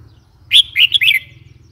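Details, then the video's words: Red-whiskered bulbul with a single cheerful phrase of four liquid, slightly slurred notes lasting under a second, against soft low background hum. "Red whiskered bulbul call 04"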